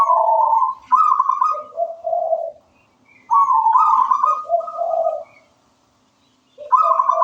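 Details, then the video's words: Zebra dove, local wild type, singing melodiously and persistently. Rolling coo phrases start high and drop to lower bubbling notes, separated by silent pauses of about a second. No other sounds are heard. "Suara merdu perkutut lokal alam gacor"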